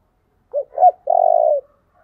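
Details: Lure song of a spotted dove for drawing in wild doves: two short, low, hooked coos followed by a longer, sustained, faintly pulsing coo that slides down at the close, on a silent background.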